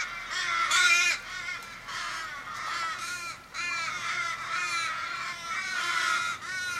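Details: Australian ravens mourning a mate that was possibly hit by a car, Kellyville, Sydney, 1 July 2012. Throaty, drawn-out aah calls with falling endings repeat steadily, several birds overlapping.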